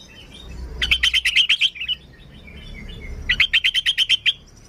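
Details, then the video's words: Lively sooty-headed bulbul song meant to draw in other bulbuls: two fast, chattering phrases of quick bright notes, each about a second long, separated by a pause over faint low background noise. "Suara Burung Kutilang Gacor ASLI Tanpa isian, Ampuh untuk Pikat Kutilang bikin kutilang Ribut gacor"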